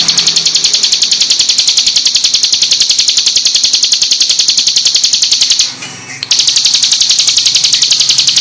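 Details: Bar-winged prinia (ciblek gunung) training song in full 'tembakan' style: a steady, rapid stream of shrill, high notes at about three and a half a second, pausing briefly once before resuming.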